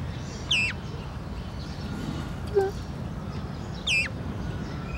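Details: Azure-winged magpie complaining, recorded 17 July 2017: two harsh, descending, squeaky calls about three seconds apart, with one short low note between them and a person speaking briefly nearby.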